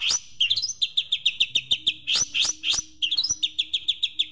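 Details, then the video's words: Master song of a Long-tailed Shrike with sparrow imitation. Fast, even chirps rapidly repeated, about three per second, are broken by quick upward-sliding whistles. "Masteran Cendet Isian Greja Mewah"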